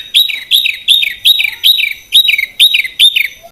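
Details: Training recording of a small bird with harsh bursts (tembakan kasar): loud, clean, down-slurred whistled notes repeated roughly twice a second in a steady series.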